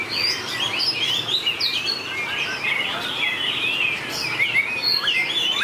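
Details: White-rumped shamas singing against each other in a contest, with long changes of voice. Dense, overlapping whistled phrases rise and fall quickly, with sharp slurred notes and rapid trills running without a break.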